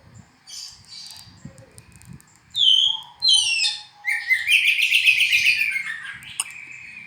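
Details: Oriental magpie-robin singing: a few clear whistled notes, then a long fast buzzy trill of rapidly repeated syllables, with a faint low whistle in the background.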